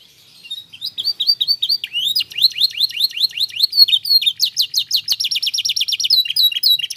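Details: Caged canary song played to make other canaries answer: long rapid series of repeated upslurred notes, tours changing every second or two, bright and loud, with a fast trill near the end.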